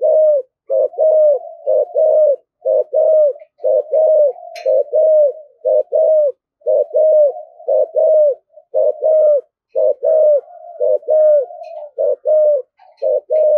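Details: A spotted dove delivers a long, driving run of low coos in the thổ thúc gù style, called very fierce: short arched notes repeated steadily in pairs and triplets for over thirteen seconds, with no other sounds.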